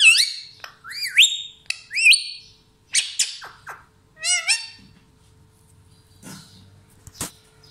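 A parrot gives a run of loud, rising, squawky whistles and a rapid trilled note over about five seconds, then goes quiet apart from faint clicks.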